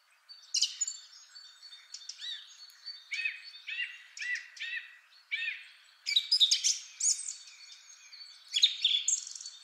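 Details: Long, complex song of a male Song Thrush, first of three examples: dense, varied phrases with a short note repeated several times in the middle and bursts of high, sharp notes.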